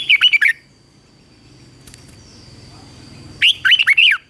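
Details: Red-whiskered bulbul trained to sing at dawn, giving its combative song: a clipped warbled phrase, a three-second lull with soft low rumble, then another quick run of five chirpy, rising-and-falling whistles.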